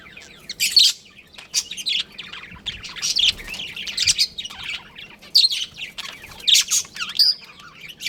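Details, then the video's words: Budgerigar colony with a breeding pair: lively high twittering and sharp chirps, rising and falling warbled notes in separate bursts every second or so. "Adorable Budgies Chirping Sounds"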